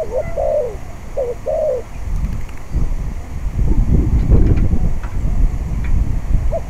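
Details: On a blustery day at a decoy trapping pen, a spotted dove gives a couple of mellow, slurred coo phrases in the first two seconds before gusting wind noise takes over, with one faint coo near the end.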